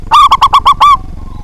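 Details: Local zebra dove with a powerful voice, singing to draw rivals into song. Very close, loud phrase of six hollow, bubbling coos, spaced evenly, closing on a longer drawn note.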